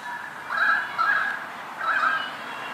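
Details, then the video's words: Currawong perched on a lamp post giving its distinctive call: three rich, wavering mid-pitched phrases, the last after a short pause, against a quiet background. "Currawong calling"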